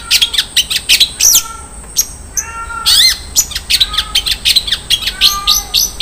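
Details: Long-tailed shrike song in the 'isian mewah' filler style: rapid high chips and squeaks mixed with clearer, lower drawn-out whistles, some rising, others level, with a short burst of harsh noise near the middle.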